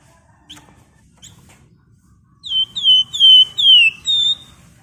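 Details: Two faint short chips, then a flamboyan bird launches into vigorous 'ngebren' song: five loud, clear, descending whistles in rapid sequence, nearly continuous, with quiet background.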